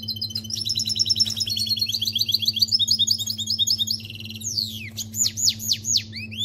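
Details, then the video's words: Canary singing a goldfinch-style song: loud, fast high trills of repeated notes, then swooping falling whistles and sharp downward sweeps, all over a steady low hum. "Canari chante chardonneret"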